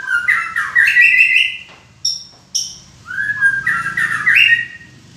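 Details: A white-rumped shama sings two rich bursts of warbled, rising whistles with sharp high chips between them, loud and close.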